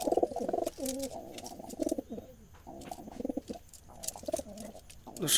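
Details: Several Jalali wild rock pigeons, kept in pairs and foraging in fields, call with low, rolling coos that overlap, with a little background chatter.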